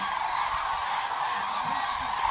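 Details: Cranes gathering at sunset at Agamon Hula, Israel: a dense chorus of overlapping rolling, trumpeting calls from many birds at once, blending into a continuous mid-pitched clamour with no pauses.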